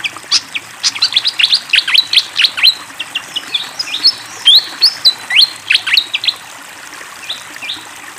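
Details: Fantail singing vigorously over flowing water: a lively run of sharp high chirps and short whistled notes, some rising and some dropping, packed in quick bursts for about six seconds before fading out.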